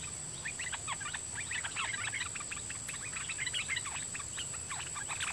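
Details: Red-whiskered bulbul, a dok taeng decoy bird singing at wild birds in the forest with a doubled song pattern; long stream of sharp chirpy whistles, dense in the middle, with a continuous high whine throughout.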